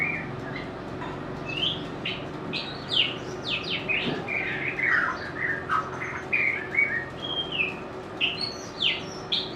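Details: White-rumped shama song, a species loved by bird keepers for its sweet, varied voice and mimicry; a long sequence of sharp whistles, downslurs and buzzy chips in irregular bursts over steady background hum.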